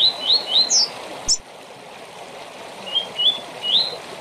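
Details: Coleiro or papa-capim giving its short tournament song: three quick upward-sliding whistles and a higher slurred note, a sharp click, then three more rising whistles over faint hiss.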